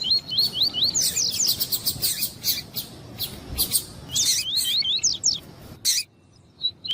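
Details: Double-collared seedeater, male stimulated by a calling female for tournament singing; dense sequence of looping rising whistles mixed with rapid buzzy chips, a second burst midway, then a pause with one faint note.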